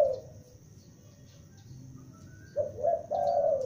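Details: Young spotted dove used as a lure, calling loudly: after a quiet stretch, a low cooing phrase of several mellow, slightly rising notes closes the clip over faint background hiss.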